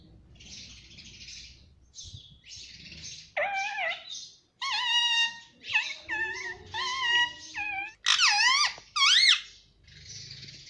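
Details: Pet Indian ringneck parrot talking, said to say mummy and papa, in a run of loud, harmonic, warbling phrases with sharp rising and falling squawky notes, broken by short pauses, over a soft hiss indoors.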